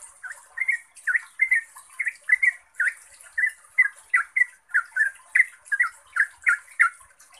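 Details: Energetic ropel song of a yellow-vented bulbul, played as a lure: an almost unbroken stream of bubbly, slurred chirps, roughly three per second, with one brief gap; faint steady hiss above.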